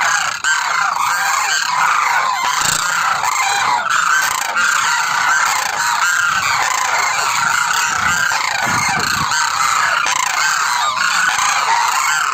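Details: Demoiselle cranes, called koonj, in a large calling group: dense overlapping honking and rolling calls, continuous throughout with no pauses.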